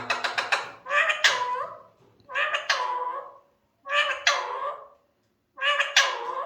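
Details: Talking male Alexandrine parakeet gives several rapid staccato notes followed by four rich, word-like phrases, each sliding downward in pitch, spaced roughly a second apart in a quiet room.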